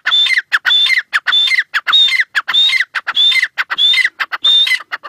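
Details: Francolin delivering a steady loop of phrases, each a piercing high whistle and then rough, rasping notes, broken by sharp clicks, around one and a half phrases per second.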